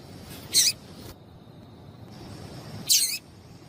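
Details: Two brief, high, thin chips from a female double-collared seedeater, used to stimulate males into singing, spaced about two seconds apart, over a faint steady hiss.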